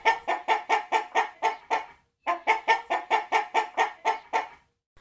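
A chicken clucks in quick nasal bursts, about five per second, two runs of around ten notes split by a brief pause.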